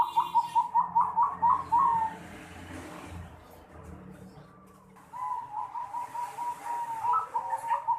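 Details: Zebra dove giving an unusual "noklak" style call, recorded 11 December 2020: a quick run of bubbling coo notes that ends in a drawn-out note. A pause follows, then a longer rolling coo phrase.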